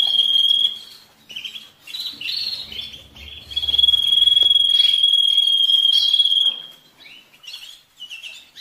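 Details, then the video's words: Singing canary, used to rouse males and prepare females for mating: short chirps around a long, pure, level whistled note lasting about three seconds, followed by scattered short calls. "تغريد الكناري للتسميع في مرحلة القلش و الراحة"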